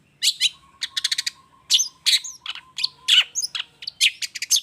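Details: Long-tailed shrike lure song for making other shrikes respond; a quick stuttering run of short notes followed by harsh rasps and squeaky whistled slurs.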